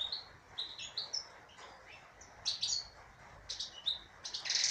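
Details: European goldfinch female, caged, delivering scattered high chirps and twittering notes, ending in a louder harsh buzzy burst, over steady background hiss.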